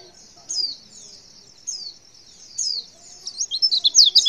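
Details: Female white-eye call intended to make males respond: spaced, soft high chirps about once a second, then a sudden quickening into loud, rapid twittering notes at the end.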